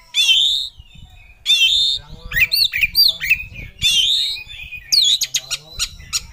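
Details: A full-emotion Oriental magpie-robin challenging a rival gives loud rich warbled phrases, looping high whistles and harsh chatter, closing with rapid sharp chips.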